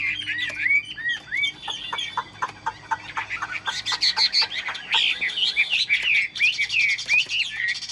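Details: Caged tame Chinese hwamei still singing as the cage is moved: rapid run of clear whistled notes and downward slurs, then louder looping rising phrases and trills, delivered about three per second, over faint low background hum.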